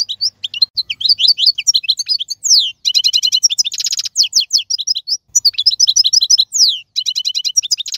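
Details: Wild goldfinch, celebrated as the 2022 champion, pouring out long bursts of rapid metallic twitters, rattling buzzy trills and descending slurred notes with only brief gaps.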